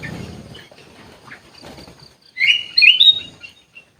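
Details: Sooty-headed bulbul in an aviary: a brief burst of bright, bubbly whistled notes near the end, preceded by faint low rustling and quiet chirps.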